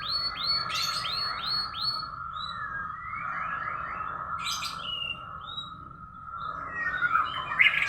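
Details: Domestic canary with an unusual song: four or five loud hooked whistles in quick succession, then softer rising notes and scattered chirps over a steady background tone.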